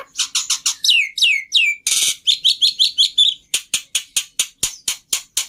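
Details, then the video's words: Black-winged starling master song meant as an easy-to-copy lure: fast chirps, descending slurred whistles, a brief harsh burst, then a long run of evenly spaced sharp clicks. "Pancingan Plus Masteran Burung Jalak Putih full Isian Mudah Di Tiru"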